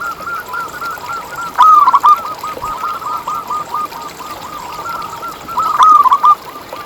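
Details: Song of a local zebra dove, used to coax zebra doves into singing. Soft rolling cooing runs continuously beneath two louder, crisp pulsed phrases spaced about four seconds apart.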